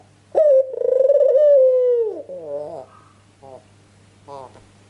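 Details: Lure call of a Ringneck dove, meant to make birds answer: a loud throbbing coo held about two seconds and dropping at the end, then a lower rolling trill and two short soft notes.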